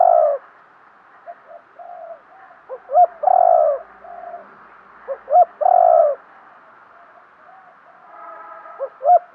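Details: Decoy spotted dove cooing to provoke and lure wild doves: deep hollow coos in short runs, two loud drawn-out notes among softer broken cooing phrases, with a steady faint buzzy hum behind.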